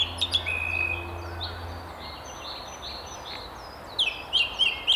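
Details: Song thrush perched at the very top of a tree beside the River Tyne near Haddington, singing: bright varied high phrases and a drawn-out whistle, then a sharp short figure repeated about four times in quick succession; low hum early on.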